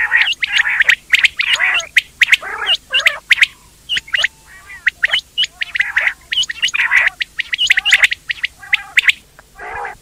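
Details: Quail from India chatter almost continuously, a dense stream of sharp high chirps and rough nasal squawks with scarcely a pause, suggesting several birds calling together.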